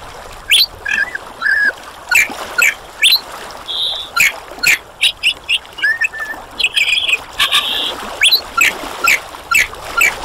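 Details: Menura novaehollandiae singing a run of short, sharp high notes repeated roughly twice a second, broken by brief buzzy tones and squawk-like calls.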